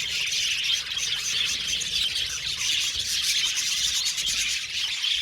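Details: Dense budgerigar chatter from an aviary colony, many birds twittering and squeaking at once in a steady, even wall of high chirps.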